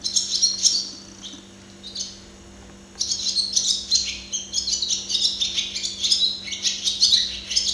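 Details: A singing barn swallow (Hirundo rustica) seen at close range delivers bursts of rapid, high twittering and squeaky notes, pauses about a second, then resumes with a longer chattering warble ending in buzzy trills; faint mains hum throughout.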